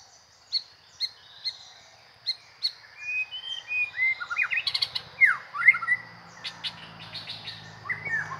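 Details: Isan white-rumped shama from northeastern Thailand, praised as a good decoy bird, giving sharp spaced clicks followed by a busy stream of varied whistles, swooping slurs and rapid chips, with a low steady hum in the background.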